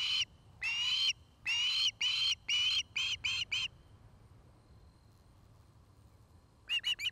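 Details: From a nest camera in Charlo, Montana, afternoon of 09-05-2018, where an osprey couple nests; several drawn-out whistled squeals, then quicker short notes, a long silence, and a brief final burst.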